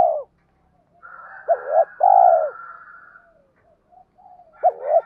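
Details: Spotted dove giving the 'tiếng thúc' lure call used to provoke wild doves: a short hooked, wavering coo runs straight into a long, full, downward-sliding coo. Pairs repeat with pauses, over a faint steady tonal hum.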